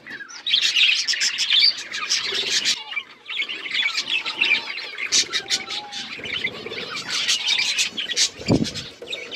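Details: Playing budgerigars in various colours keep up lively chirping, bursts of warbled twitter and sharp notes, with a lone thump of movement near the end.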